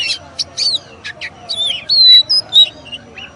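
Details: Oriental magpie-robin (kacer) giving separated short buzzy chirps, then longer pure whistled notes held and slurred, with brief pauses between phrases in a quiet setting.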